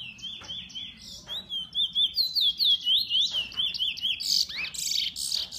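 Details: Kept bullfinch sings pulsing phrases of high, slurred whistles, each note rising and falling, roughly two to three per second, ending in scratchy, buzzy chatter.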